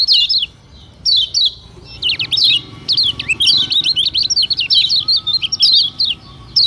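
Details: Lemon-bellied white-eye, known locally as kecial kuning, singing to provoke other birds: a few spaced sharp chirps, then a dense run of fast, high, warbling twitters, ending in scattered notes.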